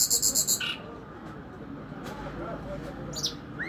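A nightingale opens with a fast, loud burst of high buzzy pulses, then a lower note, a whistled downslur and a rising whistle over steady background rumble.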